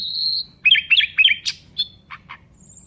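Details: Nightingale song phrase that opens on a held high whistle and breaks into quick, sharp chirps, ending with a few spaced, clipped notes.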